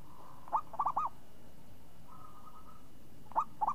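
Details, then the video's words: Champion zebra dove with a crisp, swinging 'renyah ngayun' voice, singing a short cooing phrase: one opening note followed by quick rolled coos. A faint level hum runs between phrases, and a second phrase begins near the end. "Perkutut Juara Suara renyah ngayun"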